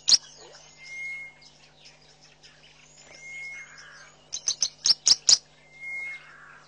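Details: Southern masked weavers building and lining a nest at a waterhole in Mashatu Game Reserve, Botswana, in February: thin high chirps and ticks, a clear steady whistle repeated three times, then a quick burst of loud sharp clicking notes.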